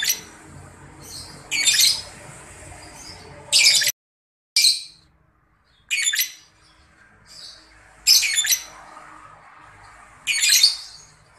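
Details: A Grey-cheeked Bulbul in breeding condition gives its ticking call, harsh, high, raspy bursts every one to two seconds with short pauses over faint hiss, as if about to start long calling; used as a lure to provoke it.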